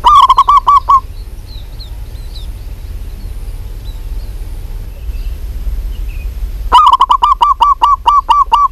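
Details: Local zebra dove calling actively: a staccato coo run ends early, then after a quiet gap with faint high chirps, a longer rapid series of about ten clipped, throaty coos closes the stretch.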